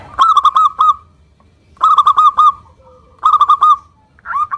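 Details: Zebra dove of local stock singing strongly, a lure meant to prompt silent doves to answer: three phrases of five or six rapid staccato coo notes, spaced about one and a half seconds apart, a fourth phrase starting at the end.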